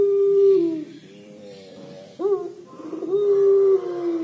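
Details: Low, mournful 'crying' coos of a puter pelung collared dove: a held note dropping off, a soft quavering pause, then a sudden upward swoop and a long level coo.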